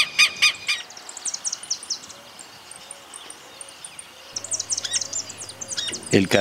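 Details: Southern Lapwing alarm in rural Santa Fe, Argentina, 2023: loud, harsh, metallic notes in rapid bursts, repeated in several strident series, with a low hum near the end.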